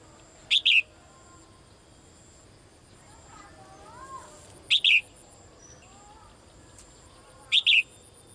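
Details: Female bird calling to the male each day: three high double chirps spaced about three to four seconds apart, short then longer falling note, with faint distant warbling between.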